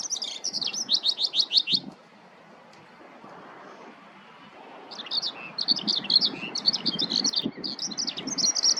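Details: Skylark in a ploughed field, singing as it searches for food. A quick run of high chirping trills, then a three-second silence, then the jumbled, twittering warble resumes and carries on to the end. Soft low background rumble.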